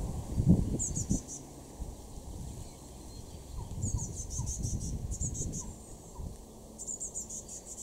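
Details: Eurasian blue tit (Cyanistes caeruleus) calling in a garden in Weener, East Frisia, far northwest Germany, May 2024: short bursts of very high, thin, rapid notes in four clusters, over a steady low rumble of wind or distant traffic.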